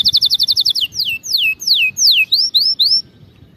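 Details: Canary song for training canaries to sing: a fast series of short repeated notes, then loud downward-sweeping whistles and rising slurred phrases, all high-pitched and clear.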